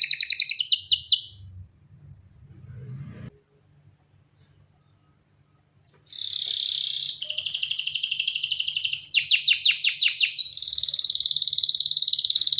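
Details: Canary sings a short high trill, falls silent for several seconds, then resumes with rich rolling tours. These include a run of sharp downward-swept notes and a sustained buzzy trill, with faint low rumble between phrases.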